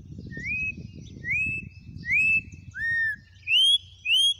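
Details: Wild Campo troupial from Brazil giving a series of rich whistled notes, mostly rising slurs with one lower downslurred note, spaced about half a second apart, over steady low-pitched background noise.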